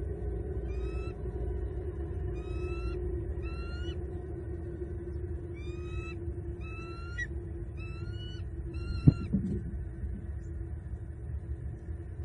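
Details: Wild bald eagle pair at their Southwest Florida nest on a morning in October 2021, the male bringing sticks and the female helping place them, picked up by a live nest cam; thin, high, squeaky rising chirps in short bursts over steady low hum, one thump.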